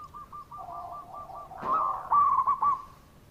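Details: Lure call of a frequently calling local zebra dove, meant to prompt quiet doves: soft even coos building into a louder cluster of quick, bright repeated notes.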